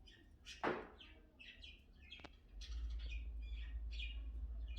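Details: A pet cockatiel, described as its owner's personal hairdresser, gives soft, scattered chirps and short tweeting notes over a low background rumble.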